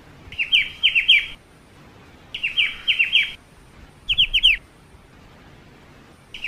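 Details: Black-winged starling song in Indonesian songbird-keeping style: bursts of about a second of bright, repeated downslurred whistles and chips, high and sharp, separated by short pauses, over quiet background hiss.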